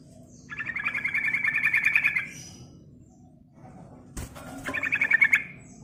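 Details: Yellow-vented bulbul song, used as a lure to stimulate other birds: a fast, bubbly chattering phrase of rapid notes lasting nearly two seconds, a sharp click, then a shorter burst of the same chatter, all over a low steady hum.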